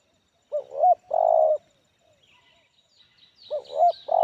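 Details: Tekukur (spotted dove) singing in the medium, loud 'Kuk 1' style with many fill notes. A two-part mellow coo, a brief hooked note then a sustained one, is repeated after a three-second pause while faint high chirps of other birds sound.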